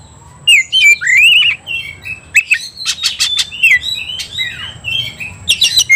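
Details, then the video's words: Oriental magpie-robin, known locally as kacer, stirred up to fight: clear whistled phrases rising and falling, then a rapid scratchy run of harsh notes and slurred downward whistles, with a faint steady high tone behind. "membakar emosi kacer, kacer gacor tarung ngobra"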